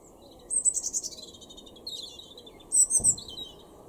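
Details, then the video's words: Robin singing in a Weener garden, East Frisia, Germany, April 2021: two bursts of very high tinkling, trilled phrases with lower warbled notes between, against faint background hum. "Rotkehlchen 0:00"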